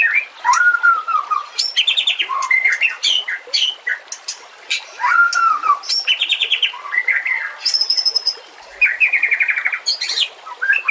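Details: White-rumped shama singing for use as a master song to teach other shamas, with water in the background: clear whistled notes, buzzy trills and high ticking phrases repeated in rich, rapidly changing bursts.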